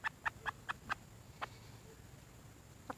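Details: Red junglefowl hen calling for a mate: a quick run of five short, clipped clucks about a fifth of a second apart, then a lone cluck and a final one after a pause, over a low background hum.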